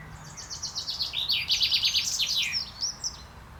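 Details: Male common chaffinch song during courtship on 28 May 2024: an accelerating trill of sharp repeated notes descending in pitch, closing with a brief ornamented flourish, then a few faint single notes.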